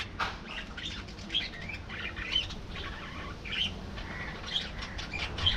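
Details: Budgerigars in a colony: warbled chatter and sharp squeaks, some notes clearly whistled, mixed with wing flutters over low hum.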